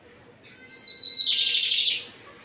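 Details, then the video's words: A lined seedeater (bigodinho) sings a firm, short phrase: a few clear, high whistled notes, then a dry buzzy trill lasting under a second, with no other sounds. "Bigodinho Pardinho cantando firme!"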